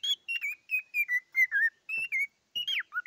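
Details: Whistling cockatiel delivering a chain of smooth, mid-pitched notes with small falls between them, broken by short gaps, ending with a fast downward slur and a few brief clear whistles.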